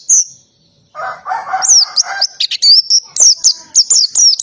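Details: Oriental white-eye in lively ngalas-style song with canary-like phrases: a high whistle, a pause, a lower burry chatter, then rapid sliding high notes, roughly two per second.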